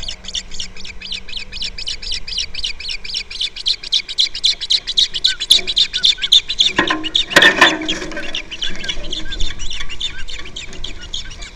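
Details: An osprey calls from its nest on Captiva, caught by a nest camera on February 2nd. Rapid, steady chatter of sharp, high chirps runs almost four per second throughout, with a brief louder burst midway.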